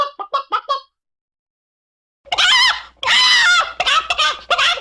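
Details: Chicken calling: a short run of quick, tonal clucks, then a pause, then loud, harsh squawks that come in bursts. The squawks are grating and broadband, with some lower notes mixed in.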